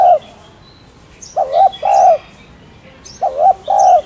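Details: A spotted dove coos to stimulate newly caught doves to coo. Two-note phrases of soft, hollow cooing, a quivering note followed by a fuller held note, repeat roughly every two seconds over light chirping of other birds.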